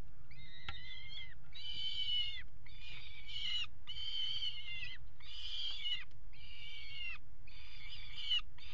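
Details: Peregrine falcon pair at a water tower nest site, mating on the ledge on 5 February 2018: a rhythmic series of harsh, nasal wailing notes, about one per second, over steady low hum.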